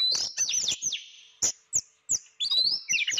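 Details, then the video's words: Oriental magpie-robin (kacer) out of view, giving high, piercing whistles and thin downslurred notes, separated by short pauses, ending with a longer rising whistled phrase. "ngintip burung Kacer berbunyi kok dak nampak burung gacor banget"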